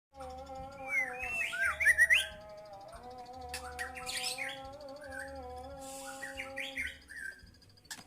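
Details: White-rumped shama singing energetically: rich whistled and chattering phrases that rise and fall, with bursts at about two and four seconds and a later phrase near six seconds, over steady droning tones in the background.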